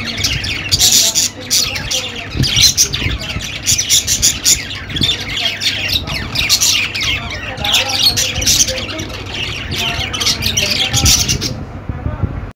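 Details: Budgies fill the air with loud, dense chattering and harsh squawks that swell in bursts, then the sound cuts off abruptly just before the end.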